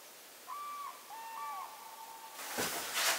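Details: Common cranes (trana) in a Swedish forest, distant, give a few drawn-out bugling notes, some level and some slurring downward, followed at the end by a burst of rustling noise.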